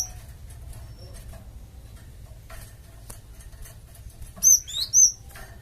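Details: Java sparrow luring call for a flock to answer: a mostly quiet stretch with faint ticks, ending in a burst of three bright high chirps with slurred up-and-down notes.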